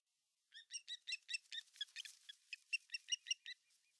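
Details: Osprey at a Finnish nest on 18 August 2020, the male arriving with a giant fish: a quiet run of about fourteen sharp, high chirps spaced evenly over three seconds, with nothing else audible.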